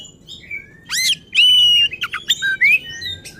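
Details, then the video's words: Agitated, excited song of an oriental magpie-robin, used to provoke other magpie-robins: varied loud whistles, a long sliding whistled note, rising slurs and sharp chipping notes, with a faint low hum underneath. "Burung Kacer Gacor Ngotot dan Emosi Suara Menggila Bongkar Isian."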